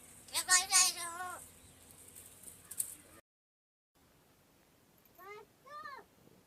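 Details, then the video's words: Crow at Gargaon in Wada taluka, Palghar district, imitating human words: a rough, speech-like phrase in the first second and a half, then silence, then two short rising-and-falling voiced notes near the end. "बोलणारा कावळा"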